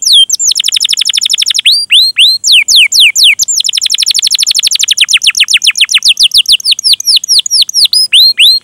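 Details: Canary singing at length as a lure recording for other canaries, a continuous stream of fast trills and downward-sweeping whistled notes, several notes per second, with scarcely a pause.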